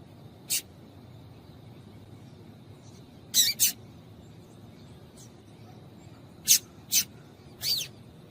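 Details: Female yellow-bellied seedeater calling to warm up males: short, sharp, high chips, single or in close pairs, scattered irregularly across about eight seconds over a quiet background.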